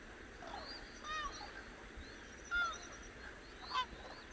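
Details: Cranes calling at dawn on the Hantan River in Cheorwon, Korea: a few clear, nasal, harmonic honks, the sharpest mid-way, among quieter distant calls and faint high chirping from small birds.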